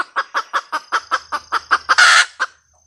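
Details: Female red junglefowl giving a cackle: about ten quick, regular clucks building to a long, harsh squawk, then one last cluck, over a thin, constant high whine.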